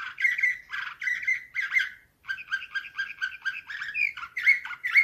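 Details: Canary with Slavujar nightingale-style song, 2024: bright buzzy phrases with brief pauses, then an even rolling trill of dipping notes and clear ringing tones.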